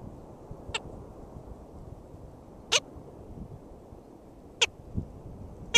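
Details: Nesting black skimmer, St. George State Park, Florida, June 2013: four sharp, nasal yapping notes spaced widely and unevenly over low background noise.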